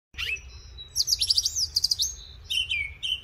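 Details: Northern mockingbird singing on an April morning in Coles County, Illinois: a quick run of high, varied phrases with rapid chattering trills and sweeping whistled notes, then a falling slurred whistle.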